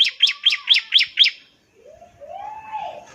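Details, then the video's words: Bar-winged prinia singing in ngebren style to coax other prinias to sing. Six quick, bright, high chirps in a row, followed by a softer, lower, rising and falling whistled sound. "ciblek semi gacor, NEMBAK NGEBREN untuk pancingan ciblek semi agar cepat bunyi"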